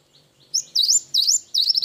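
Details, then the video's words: Brief, clean burst of cinereous tit song: after a faint opening note, three quick high swooping whistles follow in close succession against a silent background. "Burung gelatik batu gacor isian wingko"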